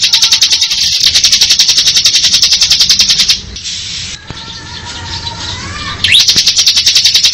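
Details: Bar-winged prinia singing in the ngebren style: a loud, rapid buzzing rattle of evenly pulsed high notes runs for about three seconds, drops to a faint murmur, then the pulsed buzz resumes near the end.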